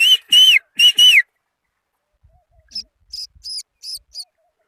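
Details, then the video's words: Black francolin chick aged three days giving three loud, clear whistled peeps that rise then fall, followed after a pause by a series of fainter, higher short chirps. "Kala Teetar Black francolin Chick Sound || Age 3 Daye || کالا تیتر تین دن کا بچہ بولتے ہوئے"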